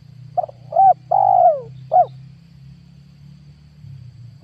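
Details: Decoy spotted dove calling in 2022 to attract wild doves for trapping. It gives one phrase: a quick note, a brief coo, a drawn-out descending coo and a last short coo. A low hum runs underneath, and another note starts at the end.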